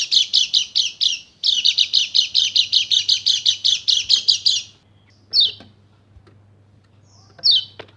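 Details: Rapid-fire 'nembak' song of a Bali Dakun white-eye, a lure to make silent birds sing: a long run of fast, even, high chirps for nearly five seconds, then two single piercing downward whistles.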